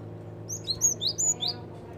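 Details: Java sparrow calls used as a lure for catching or attracting birds: a quick run of high, thin, slurred chirps over about a second, some rising and some falling, with a low steady hum underneath.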